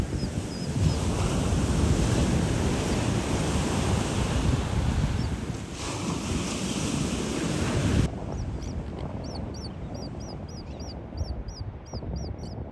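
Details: Terns at a beach give rapid, harsh, high chattering calls, several per second, over the last few seconds; before that, loud surf and wind dominate.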